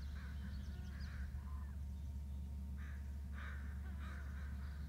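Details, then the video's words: Bald eagle adults call back and forth, with several rasping squeals early on, a pause, then a louder cluster near the end, all over continuous low-frequency wind noise. "Dad and Em calling"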